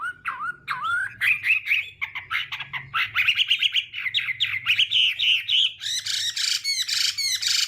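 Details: Chinese hwamei morning song used for voice training and provoking singing: opens with low slurred whistles, builds into rapid rich warbled notes, then harsh buzzy sweeps near the end.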